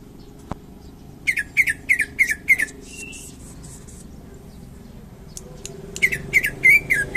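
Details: Champion greater green leafbird from Indonesia giving a quick run of bright chirped whistles, a short harsher buzzy phrase, then another lively burst of rising whistled notes.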